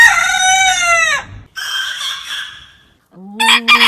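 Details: Crowing rooster: a strong harmonic crow rising slightly then falling off, followed by a hoarse, breathy crow fading away, and a brief lower-pitched call with sharp bursts at the close.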